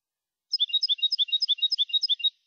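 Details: European goldfinch clean competition song from Málaga, 2020, meant for training birds: a rapid, even run of bright, tinkling high notes in alternating pairs, lasting almost two seconds.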